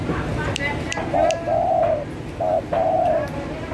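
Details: Spotted dove, calling briskly for luring birds: two paired phrases of mellow, level coos, each a brief note then a longer held one, over constant hiss with light tapping sounds.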